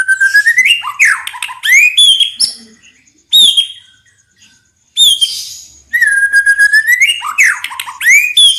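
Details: Energetic white-rumped shama song made of swooping whistled notes and harsh chattering bursts, a pause of about two seconds, then a long steady whistle with fast rattling pulses.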